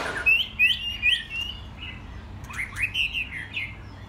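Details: Playful young white-rumped shamas, mostly in first molt, give three quick bright whistles, then a pause and a looser run of rising and falling whistled notes.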